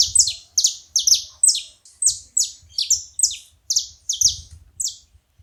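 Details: Saffron finch calling at a feeder: a steady series of bright, high, falling chip notes, roughly two or three per second, some doubled, over faint low background noise.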